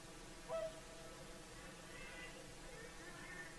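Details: Whooper swan at sunset on the shore of Lake Saimaa, Finland: one brief, clear trumpeting honk at the start, then only a faint, steady wash of background sound.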